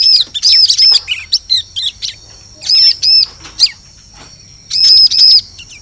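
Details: Bar-winged prinia lure call for forest use, with quick high arched notes mixed with short chirps, then brief pauses and another pair of ringing arched notes.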